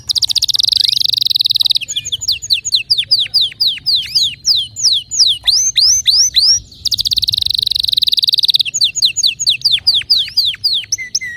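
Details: Canary song, fast and varied: rapid series of steep descending whistled notes, repeated trills and long buzzy rolling passages, sung loudly and continuously with short breaks.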